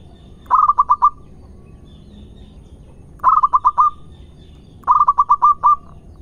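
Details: Three phrases of zebra dove song from a local Indonesian bird, each a rapid string of five or six bubbling coos ending in a short held note, spaced about two seconds apart over a low background hiss.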